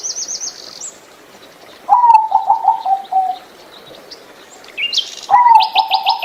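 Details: Zebra dove, small and mostly gray, kept for its beautiful voice, repeats its rapid stuttering coo phrase twice, each of about six notes, mixed with loud high chirps and rapid trills from other birds.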